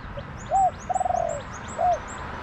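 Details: Wild spotted dove answering a caged decoy in a garden; a faint lead note, a short coo, a long rapidly pulsed purring note and a final coo, backed by repeated high chirps of other birds.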